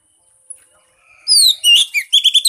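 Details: Oriental magpie-robin song used as a lure to prompt a silent bird to sing: after a faint high tone, loud downslurred whistles lead into a burst of rapid, shrill chattering notes and short repeated chips.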